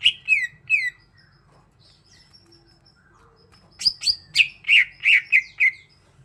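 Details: Greater green leafbird, a kept songbird, giving three quick slurred whistles, a quiet pause with faint thin notes, then a loud run of about seven rich descending whistled notes.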